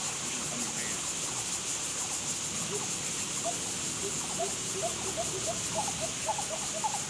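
Lesser coucal giving a run of soft, hollow hooting notes that quicken toward the end, half-buried under a loud, steady insect drone.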